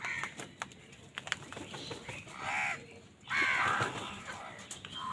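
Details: [['Crows in a food fight: several rough, overlapping caws cluster in the second half. Scattered clicks and knocks come earlier, over a low steady hum.']]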